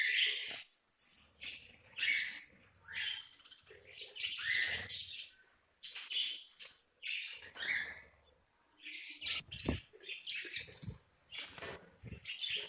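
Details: Captive breeding budgerigars chatter in quick, scratchy warbles and sharp chirps that rise and fall without pause.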